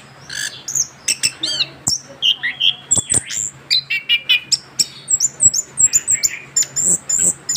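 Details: Orange-headed thrush, young and just past moulting, delivering a long rolling 'ngerol' song: varied high chirps, slurred whistles and brief buzzy notes repeated in quick succession, a faint steady hum underneath.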